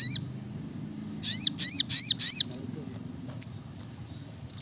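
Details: Brown-throated sunbird (sogok ontong) in 'gacor nembak rapat' song. After a quiet start come four loud, high, looping notes in quick succession, then only scattered soft chips.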